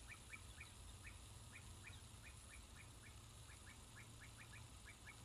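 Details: A kestrel at a Norfolk bee-eater nest, 14 August 2022, after flying to the nest entrance in an attempt on a juvenile bee-eater, gives a fast, steady series of thin, sharp notes, about three a second, over a low rumble.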